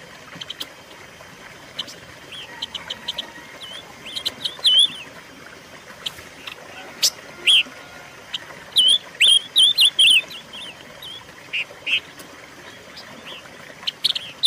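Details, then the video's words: Silver-eared mesia song recorded for luring and tutoring caged birds. Scattered thin chips through the first half, then a livelier stretch of short, wavering whistles and slurred notes around the middle, over a steady faint background hiss. "pancingan dan masteran suara burung pancawarna"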